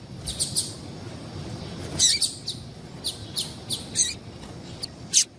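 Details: Repeated high, thin chirps from a female double-collared seedeater, a call used to get males excited, coming in irregular singles and short pairs over five seconds above a low hum.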